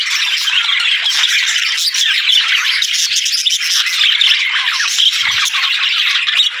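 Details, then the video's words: Budgerigar warbling, an even, unbroken stream of chirps, buzzy trills and squeaks throughout, with a single faint low bump near five seconds. "Budgie Talking | Parakeet Singing"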